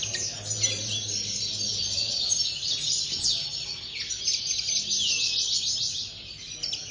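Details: Common linnets in an aviary: a dense, continuous high twittering chorus of overlapping chirps and trills, with a few sharp down-slurred notes standing out near the middle.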